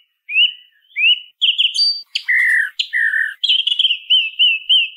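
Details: Song thrush delivering varied phrases: two upward-sliding whistles, a higher held note, a pair of lower harsh buzzy notes, then a string of slurred whistles repeated at a steady pace, heard cleanly against silence.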